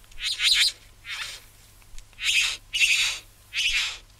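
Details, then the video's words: Satin Bowerbird from Australia giving rasping, hissing, noisy notes, five short bursts in four seconds with brief gaps between them. "Satin Bower Bird"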